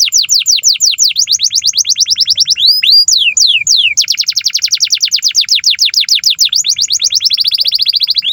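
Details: Energetic long canary song meant to teach young canaries and restart birds that have gone quiet: continuous rapid trills of sharp descending notes, interrupted by a few slower swooping whistles, ending in a dense buzzy high trill.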